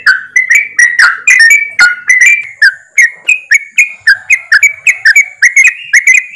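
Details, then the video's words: Many yellow-vented bulbuls chattering in ropelan style, a recording played to prompt birds to sing: loud, rapid, bubbly whistled notes tumble over each other, about two each second, overlapping throughout. "TRUCUKAN ombyokan,TRUCUKAN ROPELAN untuk bahan cepat bunyi"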